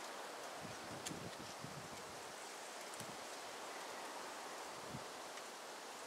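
Quiet outdoor hiss of wind and rustling leaves, with a few soft low thumps; no animal sound.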